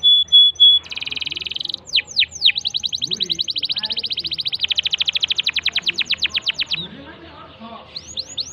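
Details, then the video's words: Fast canary song meant to get a silent bird singing. A high pure whistle opens, then buzzy rolls and swooping notes, a long rapid even trill of ticking notes, and a few closing downslurs. "Pancing Kenari MACET jadi GACOR"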